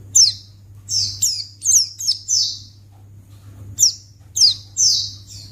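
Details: Luring calls of a white-eye: clusters of high, sharply falling chirps, some drawn out and slightly buzzy, in two bursts separated by a quiet gap. A low hum runs beneath.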